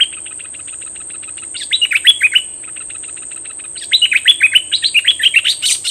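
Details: Decoy bulbul singing to wild birds: soft even ticking, then two bursts of loud, sharp, down-slurred chirps, the second longer and faster, with a persistent thin high whine in the background.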